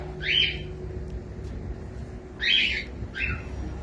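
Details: Young pet cockatiel indoors, calling with two loud rasping squawks and a shorter third note, set against a constant low hum.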